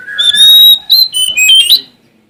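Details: Sumatran Oriental magpie-robin (kacer) singing vigorously to find a rival: one loud burst of clear, high whistles, a long steady note then quick rising and falling slurred notes, ending abruptly.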